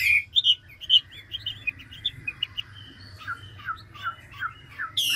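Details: Mature wild-caught Chinese hwamei in voice-switching ngũ trường song: a quieter stretch of short, clipped whistled notes spaced irregularly, some higher, some lower and downslurred, closing with a sudden loud harsh burst.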